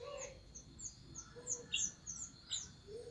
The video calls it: the orange minivet calls the flock